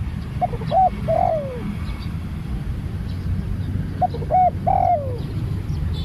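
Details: Spotted dove, a newly trained bird taken out for training, giving two cooing phrases: short clipped notes leading into a long, drawn-out coo that slides downward, about three seconds apart, over a steady low rumble.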